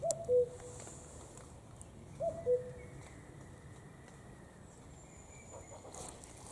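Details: Common cuckoo calling clearly and close, two loud two-note cu-coo phrases, a higher note dropping to a lower one, repeated about two seconds apart, with a thin whistle from another bird behind.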